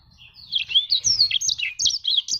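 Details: Actively singing black-throated canary: a continuous high, tumbling warble of slurred and trilled notes rising and falling in quick succession.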